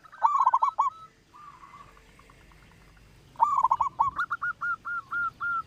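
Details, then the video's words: Strong-voiced local zebra dove used to lure others into song: a quavering coo phrase, a pause with faint notes, then another trembling burst and a steady run of short, evenly spaced coos. "perkutut lokal suara besar"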